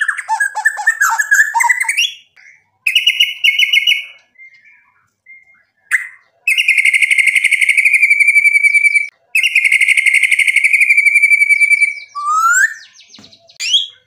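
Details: White-rumped shama singing a mix of whistled phrases and mimicked fill-in sounds as a lure for rival shamas: chattering notes, then two long steady buzzy trills of several seconds each, ending in sliding whistles.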